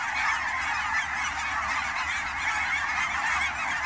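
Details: Canada geese on fall migration, Fern Hill Wildlife Area, Oregon; a packed flock calls nonstop, with a few brighter honks standing out above the steady blended chorus.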